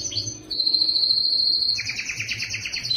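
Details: Yellow canary in song: a short high note, then a long steady pure whistle, followed by a fast rolling double-toned trill and a closing high whistle.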